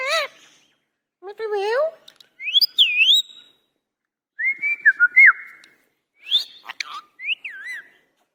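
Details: Talking Indian ringneck parakeet, described as angry: buzzy harmonic phrases followed by looping whistled notes that rise and fall, sliding whistles and short squeaks in rapid succession with brief pauses.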